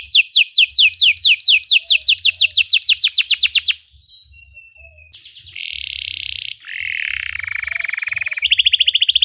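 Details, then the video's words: Belgian canary in song, used for canary training: rapid repeated descending sweeps for nearly four seconds, then a thin whistle, buzzy rolls and a final fast trill. "Belgian canary singing makes your canary sing"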